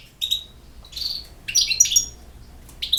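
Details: Short, scattered phrases from a European goldfinch: a few liquid chirps, a buzzy note and quick tinkling twitters, broken up by brief quiet spells.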